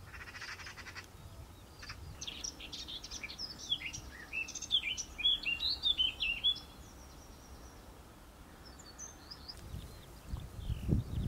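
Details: Eurasian oystercatchers (Haematopus ostralegus), feeding and mating, give a rapid, excited run of shrill, piping notes for about four seconds, then fainter high calls, over steady wind and rumble.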